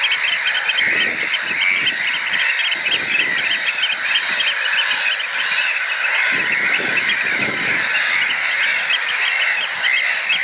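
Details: Three juvenile Eurasian oystercatchers huddled together practise piping, with an adult sometimes joining in. A dense, shrill chorus of rapid, high piping notes runs on without a break.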